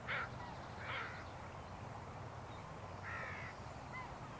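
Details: An American Crow at ts'uḵw'um Estuary on the morning of April 16, 2026, with the tide out, gives three harsh, hoarse caws at uneven intervals, two close then a longer one, over a low steady rumble.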